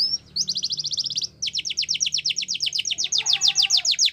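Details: Yellow canary song in the wild: quick repeated trill of bright notes, a brief pause, then a long rolling series of fast chips several per second.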